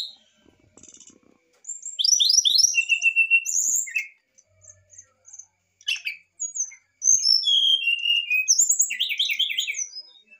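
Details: Excited brown-chested jungle flycatcher song meant to provoke a reply: rapid slurred whistles, repeated upward-sweeping notes and brief harsh chips, delivered in dense bursts separated by short silences.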